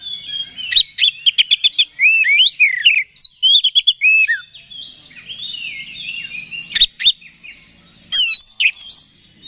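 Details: Provoking song of a magpie-robin (kacer): a fast series of sharp clicks, then fluid whistled slurs that rise and fall, a quieter rambling warble, and a final loud burst of high twittering notes.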